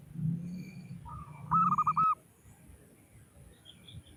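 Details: Local female zebra dove calling to attract males; a brief, quick series of five or six looping coo notes over a steady low hum and faint background noise.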